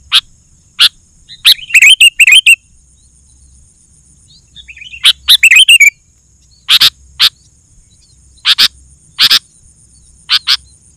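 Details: Vigorous sooty-headed bulbul song intended to draw in wild bulbuls: scattered sharp high chips with two bubbly, twittering warbled phrases, separated by quiet pauses over a faint hum.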